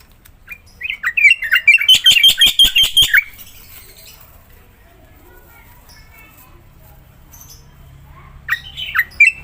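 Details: Black-winged myna (jalak putih) in lively gacor singing, used to prompt quiet mynas: a fast run of sharp, repeated chirps at about three per second, then a long pause and a few harsh notes at the end.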